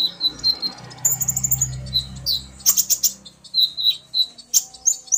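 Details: Common iora male and female calling back and forth, the male stirred into song by her call; scattered high whistles and chattering bursts over a low background hum.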